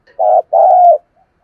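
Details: Spotted dove cooing, used to stir up decoy doves: two low, mellow coo notes in quick succession, the second longer and slightly falling, against a silent background.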